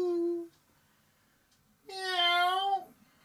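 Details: Pet parrot imitating a cat's meow indoors: a drawn-out harmonic meow-like note lasting about a second, preceded by a short tonal sound, after its owner coaxes it to meow.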